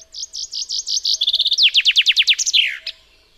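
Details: Full common chaffinch song phrase of about three seconds, a run of crisp repeated notes that shifts to faster, descending ones and closes with a sweeping, falling flourish and a final short note.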